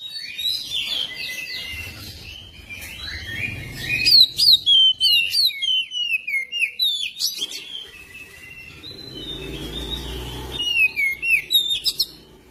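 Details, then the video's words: Magpie-robin song for prompting a magpie-robin to sing: a long, lively sequence of chattering and whistled phrases, many quick downward slurs, over a low rumbling background that rises and falls. "pancingan kacer biar cepat gacor dan ngobra"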